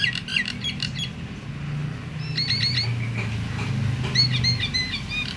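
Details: Myna whose voice is said to rouse other mynas into singing: quick clusters of high whistled notes, then looping rising whistles with clear overtones, over a constant low rumble.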